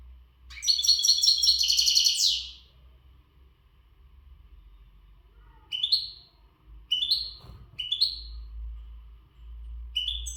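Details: Gharb goldfinch, untutored and in breeding readiness, gives a dense two-second twittering burst, then four short downslurred chirps spaced about a second apart.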